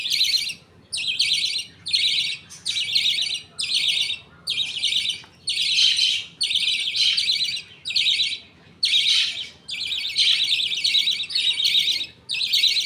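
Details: Caged budgie colony during feeding, the father passing food paste to two young while other budgies wait their turn. Rapid, scratchy chattering bursts follow one another with brief pauses, over a dozen in a row.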